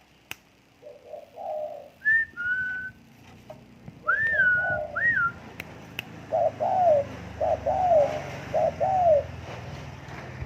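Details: Tame spotted dove cooing in low, falling two-part notes, interspersed with higher whistled notes, over a steady background hum.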